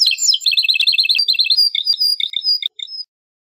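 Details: Domestic canary song opening with a rapid, bubbling high trill, then shifting to varied short whistled notes and thin sustained tones before stopping abruptly near the end.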